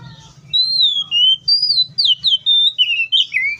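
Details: Wild Oriental magpie-robin singing a rich run of clear, whistled phrases that slide up and down, each note short and sweet, delivered almost without pause, over a faint low hum.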